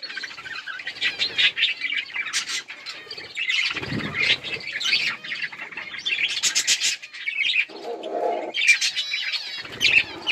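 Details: A flock of budgerigars chatters as they eat and play, mixing harsh buzzy notes, clicks and sharp whistles; a brief lower hum and a soft knock sound in the background.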